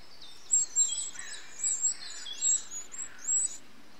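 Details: Eurasian wren young in the nest begging during feeding by adults, 8 June 2013: very high, thin whistled squeaks in short clustered bursts, several louder peaks spaced roughly every half second, faint steady background hiss.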